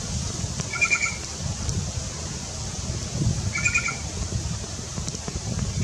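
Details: Black-chested jay in Colombia: two short harsh calls with a stacked, nasal tone, about three seconds apart, over a steady low rumble of wind or distant traffic.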